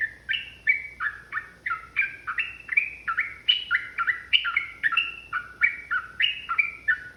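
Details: Long, rapid fighting song of a yellow-vented bulbul, provoked and emotional: a steady run of liquid whistled phrases, each note stepping down in pitch, repeated without break for over seven seconds.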